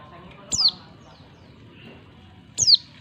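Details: A female Oriental white-eye calling to males gives two thin, very high, downslurred call notes about two seconds apart over a faint low background hum.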